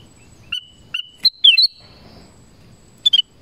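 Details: A black-crested bulbul in a forest gives a few bright, high chirps, then a quick slurred phrase and a closing double note over a faint low rumble.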